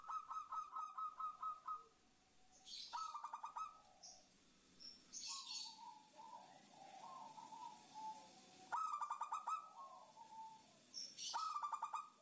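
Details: Female zebra dove calling a male, used to lure wild doves: repeated bursts of rapid, level cooing notes, with softer lower coos between and crisp chirps from other birds overhead.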